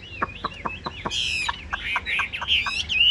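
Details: Chinese hwamei kept as a cage bird, fairly tame, giving a string of sharp clicking notes about every fifth of a second, followed by loud, rich, rolling whistled phrases with slurred pitch.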